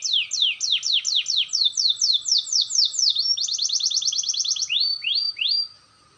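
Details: Canary practising its roll with a clear voice: a string of loud falling whistles repeated roughly twice a second, a fast tight trill, then three rising slurred notes before silence.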